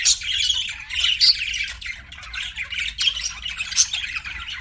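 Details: Budgerigars chirping: steady chattering of buzzy high notes and short whistles, overlapping calls from several birds forming a continuous twitter.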